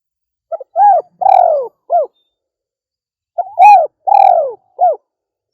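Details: Female spotted dove repeating its cooing phrase twice, roughly three seconds apart: small lead-in notes, an arched coo, a drawn-out burry falling coo, and a short final note each time.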